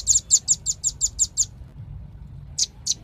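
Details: Velvet-fronted nuthatch delivering a quick string of eight high, sharp chips, then a pause and two more isolated notes.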